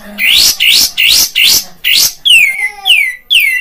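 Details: Bulbul sound used to provoke caged birds: five harsh rising notes in quick regular succession, then several sweet falling whistles.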